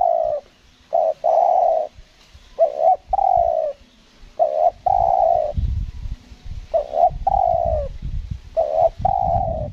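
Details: Spotted dove, a bird being lured on Lombok, gives repeated cooing phrases: short low notes followed by longer sustained coos, in bursts about every two seconds, with some low rumbling background noise.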